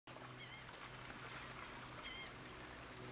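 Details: Black-bellied plover (Pluvialis squatarola) calling at Port Mahon, Delaware, on 24 May 2018: two plaintive, slightly wavering whistles about a second and a half apart, over steady wind and a low engine-like hum.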